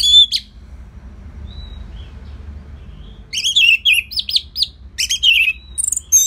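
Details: Orange-headed thrush singing a steady, easy-paced training song to draw other birds into singing: a short opening phrase, a long quiet gap, then dense runs of clear, warbled whistles rising and falling, ending in sharp high notes.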